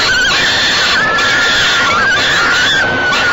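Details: Nest-box falcon babies at Great Spirit Bluff call while being fed by their mother on an evening in late May 2013; one long, nearly unbroken high wail with slight wavers and small downward bends.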